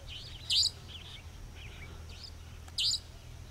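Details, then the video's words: In the evening at Dharmpura, Khandela, Sikar, Rajasthan, India, a resident Savanna Nightjar (Caprimulgus affinis) gives two sharp, high, buzzy 'dheet' notes about two seconds apart, with faint softer chirps and a low hum between them. "The Call of Savanna Nightjar"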